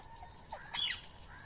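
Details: Indian ringneck parakeets feeding on food near Coimbatore, India, give a single short harsh screech that sweeps down, loud against a quiet background with faint low hum.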